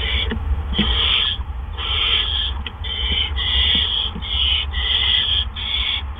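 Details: Barn owl nest, evening of April 17, 2013, with gophers delivered by two adults one right after another. Scratchy hisses repeat under a second apart, with faint clicks and shuffling and a low hum.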